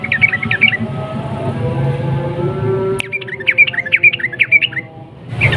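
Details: Yellow-vented bulbul ropel song, a lure to make other bulbuls sing. A short trill opens, followed by a faint low hum, then a sharp click and a longer run of bubbly repeated notes, and finally a rising burst of noise.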